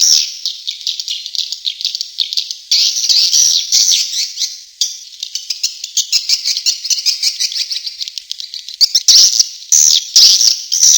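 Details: Swiftlet lure call named Tombak Raja, used to attract swiftlets: continuous dense, buzzy, high-pitched twittering chatter, pulsing in loudness, with brief pauses and sharper chirps near the end; no other sounds.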